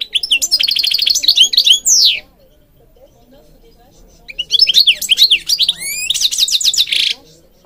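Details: Goldfinch singing for bird training: a rapid series of ticking notes and buzzy trills ending in a downslurred whistle, silence, then another twittering phrase closing with a harsh buzz.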